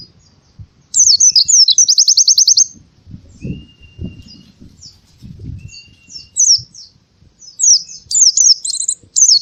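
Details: Oriental white-eye in the morning giving a quick rattled trill of about ten high notes, followed by scattered twittering phrases and thin whistles over low thumping background noise.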